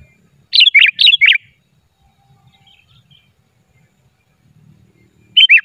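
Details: Sooty-headed bulbul song used as a lure for trapping, unedited: two quick bubbly phrases of falling whistled notes near the start, then silence before another phrase at the end.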